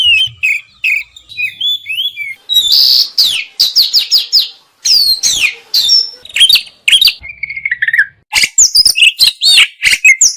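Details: Contest-style Oriental magpie-robin song, masteran with full isian and tembakan: strings of high downslurred whistles, crisp chips and a sustained warbled phrase, broken by a couple of short silent gaps before bursts of rapid clear notes.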